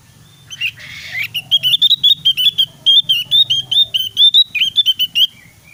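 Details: Lively Javan white-eye song, used as a training recording to prompt other white-eyes to sing: a brief rough rustle, then a rapid, unbroken chain of bright, high, upward-sweeping whistled notes, loud and clear above a soft low hum.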